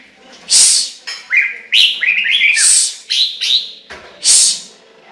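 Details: A Chinese hwamei delivers rich, slurred whistles in quick runs, punctuated by loud, rasping high bursts roughly every second and a half.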